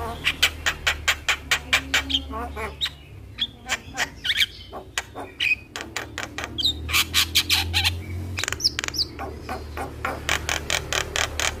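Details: Javan myna (jalak kebo) tutor song, played as a lure to make a quiet jalak sing: rapid dry clicking and rattling pulses with harsh chattering bursts and a few short whistles, almost continuous, over a low hum.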